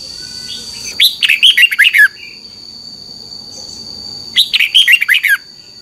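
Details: Red-whiskered bulbul song for training caged birds: two cheerful bursts of fast, fluty notes, each about a second long and descending, roughly three seconds apart, over a faint constant high tone.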